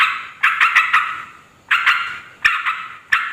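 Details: Raucous Yellow-vented bulbul chatter meant to attract wild females and males: a scratchy cluster of several harsh notes, a longer pause, then shorter rasping bursts repeated about every half second to second.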